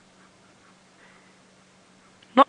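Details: Egyptian goose (Alopochen aegyptiaca) perched up in a tree, unusual, on a sunrise safari drive at 7:40 AM, 12 May 2017, Djuma Game Reserve, South Africa; one gives a single short, harsh, nasal honk after quiet with low engine hum and faint distant voices; another has just taken off.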